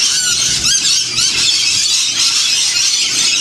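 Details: Wild lorikeet parrots in a huge flock feeding on sunflower seeds and bread with honey during winter in the Blue Mountains, Australia; dense, continuous shrill screeching and squealing from many birds overlapping without pause.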